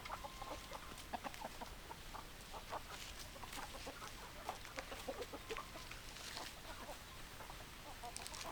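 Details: Chicken clucking from a flock: clipped, repeated notes scattered over several seconds, some louder bursts, many birds calling over steady background noise.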